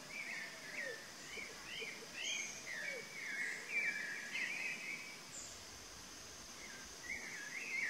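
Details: Rather distant chalk-browed mockingbird song, a loose series of twisting, warbled phrases with brief pauses, over low whistled curves from another caller and background noise.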